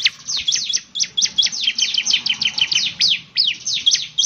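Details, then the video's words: Bar-winged prinia in full, lively song, a continuous string of quick, high, downward-sweeping notes repeated several times a second without a break. "ciblek semi gacor, SEKALI putar saja ciblek semi PASTI ikut bunyi nyaut"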